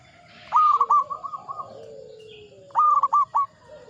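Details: A singing local zebra dove, an aged bird, gives two phrases. Each opens with a loud upswept coo, then a few stuttered notes trail off. A faint lower coo drifts beneath.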